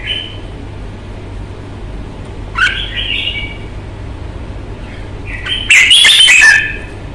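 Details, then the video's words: Red-whiskered bulbul in a fighting display, giving short bright whistled phrases around the mid-high range, one brief burst near the start and a louder warbled phrase late, over steady low background hum. "CHÀO MÀO | Bóng bộ thái độ nết đấu chất giọng cực hay"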